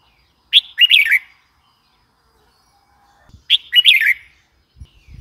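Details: Two lively warbled phrases from a red-whiskered bulbul, each a sharp opening note then a tumbling series of bright chirps, repeated about three seconds apart, with faint low thumps near the end.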